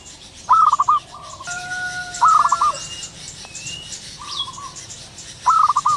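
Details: Wild zebra dove calling in the morning: three loud stuttering cooing bursts about every two and a half seconds, softer trills between, plus whistles and chirps of other birds.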